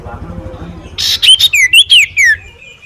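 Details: Common iora (cipoh), described as a champion performer that others bow to, giving a quick run of loud whistled notes that slur up and down between high pitches, each note sharp and separate, over a faint low hum.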